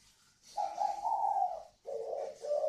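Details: Spotted dove, one of a caged pair from northern Vietnam with the 'còi vang' voice style, gives a low, mellow, drawn-out coo of about a second, then a second rough coo that breaks into two parts.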